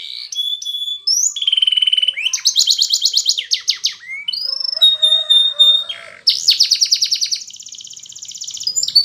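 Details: Spanish Timbrado canary singing a training song for silent canaries: high, bright phrases that switch between steady whistles and rapid metallic trills, with rolling repeated-note passages and brief pauses between bursts.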